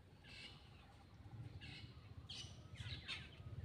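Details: While eating, a black-winged myna utters short raspy high bursts, two spaced notes followed by a quicker cluster of three near the end, against constant low-frequency background noise.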